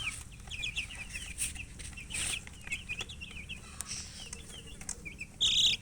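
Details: Coloured baby chickens chirping from thirst for drinking water: many short high peeps, quick and overlapping, spill out in scattered runs, with a louder shrill peep near the end and soft rustling beneath.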